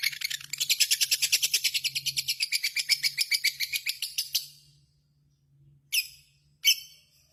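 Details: Lovebird performing a 'ngekek' trill: fast, evenly pulsed, shrill chattering for about four seconds, then quiet, then two separate harsh high chirps. A faint low hum runs underneath.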